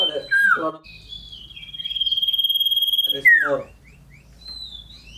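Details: Scarlet-headed flowerpecker in loud, shrill song as it jumps about, with short falling notes, a long level whistle that pulses slightly, a bright downward slur, and then a few light high chirps.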